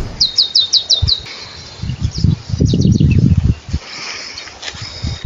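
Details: Wild saffron finch in its habitat: six quick, evenly spaced high descending notes open the sequence, followed by scattered fainter chirps amid low rustling and bumps.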